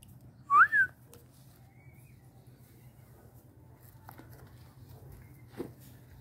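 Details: Perdiz, the red-winged tinamou, calls with a sharp rising whistle quickly followed by a second shorter falling note, then quiet with low background hum and a few soft knocks.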